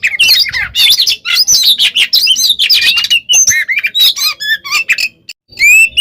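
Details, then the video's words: Oriental magpie-robin in full nonstop singing said to upset rival birds: tangled mix of squeaky whistles, rasping notes and quick trills, ending in a few clean rising whistles. "PANCINGAN KACER GACOR FULL ISIAN KONSLET! BIKIN BURUNG LAIN EMOSI"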